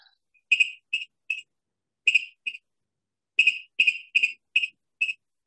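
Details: A Virginia rail, a marshland bird, gives sharp, clipped kik notes, about ten in five seconds, in loose pairs and runs with short pauses; nothing else is heard.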